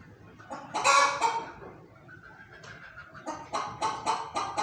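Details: Loud squawking cackle from a hen opens, followed by a softer drawn-out note and then a steady series of sharp, quickly repeated clucks.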